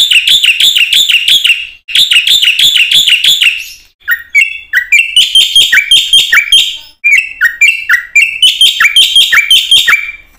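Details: Black-winged myna singing vigorously with a full repertoire, used as training bait for silent mynas: two fast runs of rolling, buzzy, wavering notes, then a jumble of sharp squeaks, whistles and chatters.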